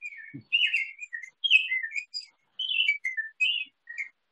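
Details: Young male Rose-breasted Grosbeak, not yet in full adult plumage, visiting a grape-jelly feeder, sings a sweet, rich warble of quick rolling phrases that rise and fall, like a robin's song but smoother; a faint low thump near the start.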